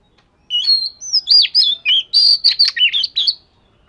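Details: Fish-scale Oriental magpie-robin in daily song practice. It gives a rich, fast stream of about a dozen varied whistles, with slurred upsweeps, down-slides and warbled notes in close succession, and nothing else is heard.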